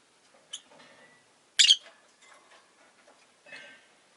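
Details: Captive rosy-faced lovebird (Agapornis roseicollis) calling with one brief high chip, then a loud harsh double squawk, and a softer raspy note at the end over faint low background murmur.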